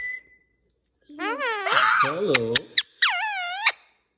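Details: Talking pet parrot that copies its owner, kept indoors: a squeaky, voice-like run of mimicked syllables with wavering, sliding pitch, broken by short clicks, lasting nearly three seconds.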